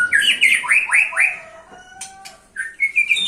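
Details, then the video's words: White-rumped shama singing to lure other shamas: a quick series of slurred, downswept whistles, a pause, then brighter clipped notes; close and loud, with a couple of sharp clicks midway. "Murai batu buat pancing murai"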